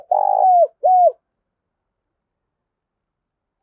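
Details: Spotted dove song for luring wild doves to fight a decoy; one long rolling, burry coo followed by a shorter clear coo, then silence.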